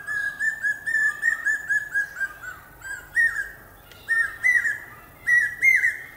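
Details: Common hawk-cuckoo: a quicker run of short whistled notes at the start, then insistent pi-peeah phrases, shrill and climbing in pitch and volume, repeated about every second.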